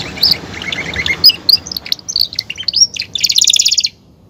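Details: Belgian canary, a caged male, singing a varied run of quick twittered notes and whistled slurs that ends in a dense, fast buzzy trill.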